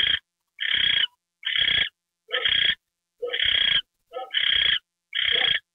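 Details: Owl being given a mouse treat, late evening of January 28, 2013: steady series of coarse, noisy screechy hisses, evenly spaced a little under a second apart, several led by a short lower chirp.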